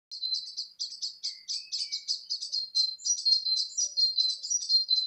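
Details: Wild bird singing in May 2020 at Gorleston on the Norfolk and Suffolk border, a fast, high, continuous twittering stream of buzzy trills and chirps with a brief lower warble, in an otherwise quiet setting.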